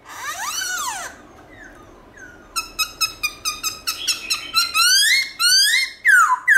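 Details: Morning song of a Black-throated laughingthrush in forest style, switching voice: a rich rising-falling whistle, then quick chirped notes speeding into loud, sweeping whistles that climb in pitch.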